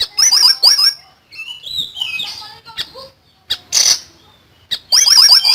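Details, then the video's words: Common iora singing loudly and energetically for songbird tutoring: rapid bursts of shrill, descending chip notes, then warbled gliding phrases and harsh broadband bursts, ending in another fast chattering volley. "BURUNG SIRI SIRI GACOR FULL NEMBAK"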